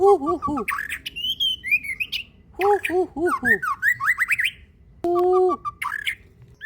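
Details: White-rumped shama in a fighter-style masteran song used for training songbirds: bursts of clear whistled notes, some rising and falling in quick runs, alternating with lower, warbling harmonic phrases, separated by short pauses over a quiet background.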